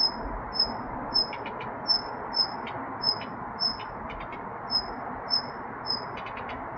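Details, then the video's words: Regular high, thin whistles from a Daurian redstart, nearly two per second, alternating with quick dry clicking notes, set against a steady murmur of low background noise. "딱새 울음소리 The sound of a red-breasted bird crying"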